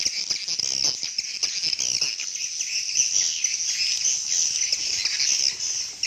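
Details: Real swiftlet communication calls: a steady, loud wall of shrill, high-pitched twittering from many overlapping chirps, almost buzzing in texture and unbroken throughout.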